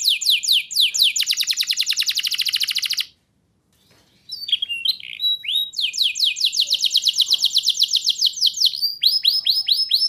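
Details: Canary master song for young birds: a dense buzzing trill, a brief silence, then chirps and a run of rapid swept notes with a faster trill near the end.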